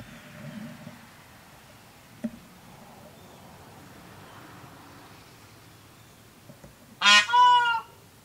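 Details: Trumpeting male Indian peafowl in a residential area of Cocoa Beach, Florida, mid-August 2019: after a quiet stretch with a low murmur, one sudden loud honk breaks in two blasts, rich and nasal, near the end.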